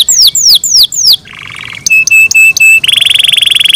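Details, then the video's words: In the morning a kept canary sings four falling sweeps, a soft buzzy trill, a row of short sharp whistled notes, and a loud fast rolling trill to finish. "MORNING SONGS OF CANARIES IN THE MORNING"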